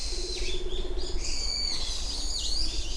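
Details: Japanese wood pigeon recorded at Uwajima, Kaminoseki town, on 29 January 2024 between 07:00 and 07:10. A low, pulsed, rolling purr lasts about a second, with a fainter low note later, beneath louder high whistling songs of other birds.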